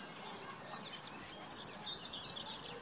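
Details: A corn bunting at Rači Potok, Košice, Slovakia, on 25 May 2019 sings its dry, jangling song: quick high ticks speeding into a rattling, key-like jingle that fades after about two seconds.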